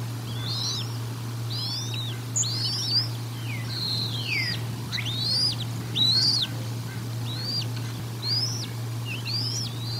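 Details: Bald eagle feeding at the Decorah North nest, dated 04 01 2022, nest camera: a long run of high, squeaky chirps and sliding whistles, briefly dense and then spacing out to about one per second, with a low steady hum underneath.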